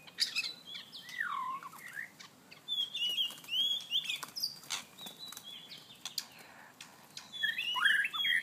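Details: White-rumped shama chasing a mate, giving short swooping whistles and rich warbled phrases among many sharp clicks and bursts of wing flapping, with a louder falling whistle near the end.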